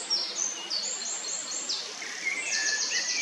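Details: Eurasian wren at a nest in Heerensbos, 22 May 2019: a rapid run of thin, very high downslurred notes, several per second, then a brief lower chirp and a fresh burst of high ticking notes over steady background hiss.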